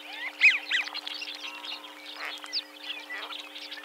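A busy flock of American wigeons gives overlapping airy whistles, many rising or falling, with a low steady hum underneath.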